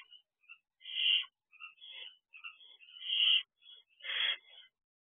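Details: Barn owl owlets on the perch of a nest box at night, 8:11 pm: harsh hissing rasps, several loud drawn-out screeches among softer short scratchy calls, irregularly spaced.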